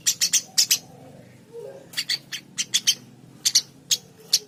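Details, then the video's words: Eurasian tree sparrow giving scattered single and paired sharp, high chirps, spaced irregularly with short gaps; a brief lower murmur midway. "Burung gereja gacor"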